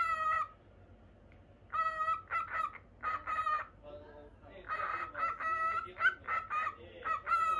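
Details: Normal lutino cockatiel, a caged pet bird, chattering in clipped bursts: a short opening note, a pause, then clusters of quick harmonic chirps and longer steady tones repeated through the stretch.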